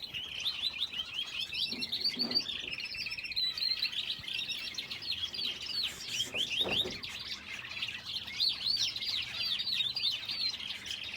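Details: A crowd of caged finches housed with a canary in an aviary: rapid, high-pitched twittering and repeated short chirps form a continuous overlapping chorus, with a soft thump or two.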